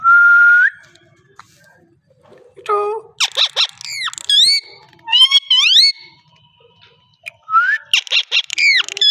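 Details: Parrot voice: a flat whistle, then a dense string of chattering, sweeping harmonic syllables with rising and falling slurs, resembling talking, followed by more rapid squeaky notes after a short pause.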